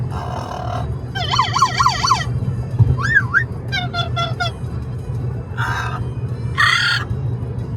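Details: Amazon parrot chattering noisily during a car ride: a run of squawks, whistled rising and falling notes and harsh bursts, with steady low road rumble underneath.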